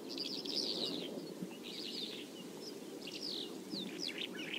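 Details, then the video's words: Bimaculated lark in Turkey giving a jumbled, chattering song of quick scratchy trills and short chirps in several separate bursts, partly masked by continuous low environmental noise. "Kuş Sesleri, Boğmaklı Toygar, Bimaculated Lark"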